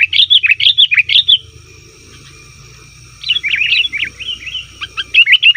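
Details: Sooty-headed bulbul making excited 'ribut' calls used for luring wild bulbuls: a rapid string of loud, piercing chirps, a quiet stretch with low hum, then a looser jumble of twittering notes building again.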